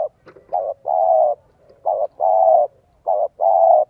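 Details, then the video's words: A spotted dove decoy sings the 'giọng son 1 cốt lỡ' voice to lure and provoke wild doves. It gives three back-to-back phrases, each a brief coo then a long, even, mellow coo, with no other sounds. "CHIM CU GÁY GIỌNG SON 1 CỐT LỠ KÍCH BỔI NHANH NỔI HIỆU QUẢ NHẤT"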